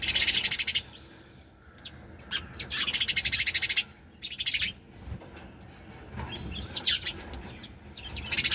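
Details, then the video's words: Sparrow chirping: quick rattling bursts of bright, high notes alternate with isolated downward-sweeping chips and brief pauses. "Sparrows Chirping Sound"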